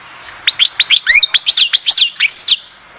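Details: European goldfinch singing at Oued Zhour, Skikda: a quick run of bright, sliding twittered notes, high and liquid, packed into about two seconds, then quiet.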